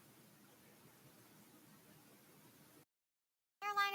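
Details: Faint hiss gives way to a moment of silence, then a brief burst of louder, harmonic sound at the very end, with no animal call heard.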